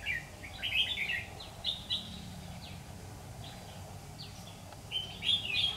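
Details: Red-whiskered bulbul, a lure bird used in trapping on 16 September 2019, singing in a competitive style to call wild birds: short bright warbled phrases of high, quick notes in bursts, over a steady low hum.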